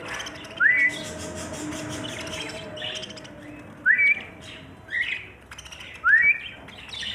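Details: Budgerigar calling in short rising whistled notes, four upswept chirps spaced a second or two apart, each followed by soft buzzy chatter over a steady low background hum.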